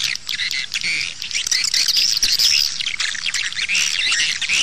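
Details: Swiftlet lure call played outside to bring birds to nest houses: dense high twitter with a wavering, thin whistled trill rising over the crowd midway, chatter steady throughout.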